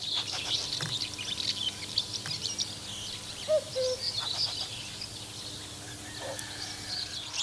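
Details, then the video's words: A Common house martin gives a soft, dry twittering of quick high chirrups run together without pause, over a faint steady hum. House martins chatter constantly, but their solo song is rarely heard. "Однако сольную песню воронка услышать можно крайне редко."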